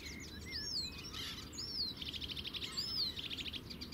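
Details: Clear song of a sedge warbler at the Zouweboezem, Netherlands, recorded from a distance on a compact camera: sweeping whistled slurs mixed with rapid dry rattling trills and scratchy chatter.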